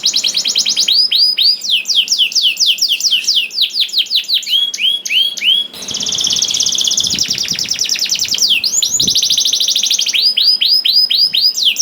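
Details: Canary singing to prompt other canaries into song: long varied phrases of rapid repeated descending whistles, buzzy trills and rolling chattered tours, changing pattern every few seconds, loud and continuous.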